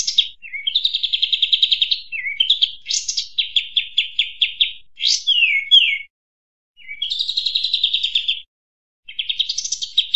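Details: A Sooty-headed Bulbul gives rapid, high, buzzy chattering runs in bursts of one to two seconds with brief pauses, used as a lure call to attract birds; no other sounds.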